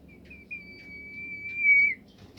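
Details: Bimoli bird song, used to make other birds sing: a single long, pure, steady whistle held for about one and a half seconds, with a slight downward slur at the end.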